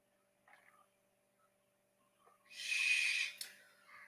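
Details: Barn owl, a bird living near human habitation and nesting in tall buildings, calling after total dark; a single harsh, hissing screech of about one second, preceded by faint soft sounds in a quiet room.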